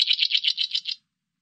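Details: Oriental reed warbler (Acrocephalus orientalis), call.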